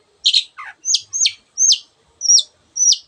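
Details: Long-tailed shrike singing in a tutor recording full of other birds' sounds: a buzzy chirp followed by a repeated high whistle that bends sharply downward, given about every half second.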